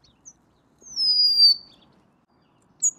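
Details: Golden-crowned sparrow giving a single long, pure high whistle that falls gently across its length, with short thin chips before and after in otherwise quiet surroundings.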